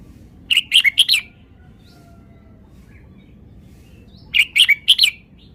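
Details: A red-whiskered bulbul gives two lively phrases of four or five clear, ringing, slightly slurred chirps delivered in rapid succession, with a long near-silent pause between them.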